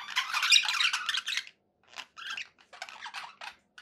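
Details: Pet budgies making happy sounds: one dense burst of scratchy warbling, then a string of short squeaky chirps and clicks spaced unevenly.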